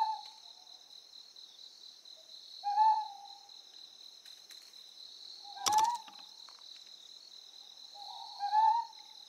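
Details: Hoarse, evenly spaced hoots of a Ryukyu scops owl on Amami Oshima, about three seconds apart, with a sharp click midway and an unbroken high insect chorus.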